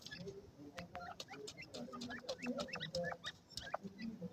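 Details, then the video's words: Young grey francolins in Pakistan peeping: brief thin notes, some slightly rising, repeated in quick irregular bursts over a low hum. "pk teetar k bachay"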